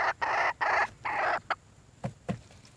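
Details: Red junglefowl hen calling for a mate. Three long, loud, harsh rasping bursts come in quick succession, then a shorter one, followed by a few low dull knocks.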